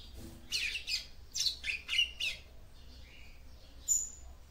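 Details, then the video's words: Female capped seedeater song meant to stimulate her male, a rapid run of bright chirps and buzzy notes followed by fainter descending whistles and one high thin note. "CANTO DE FÊMEA PAPA CAPIM PARA ESQUENTAR SEU MACHO"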